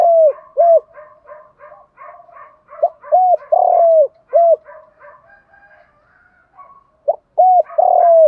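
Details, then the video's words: Spotted dove lure calling in the morning to provoke fights: loud, hollow coo phrases repeated, overlapped by quieter, rapid answering coos from other doves, a brief lull, then the loud phrase returns. "tiếng chim cu gáy mồi kích bổi buổi sáng kích bổi nhanh nổi [ thúc đấu + gáy gọi ] cu cườm gáy gọi"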